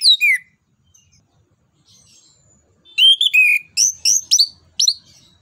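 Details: Orange-headed thrush singing, played to encourage other birds: a short downslurred whistle, a pause, then a rapid string of loud, varied whistled phrases.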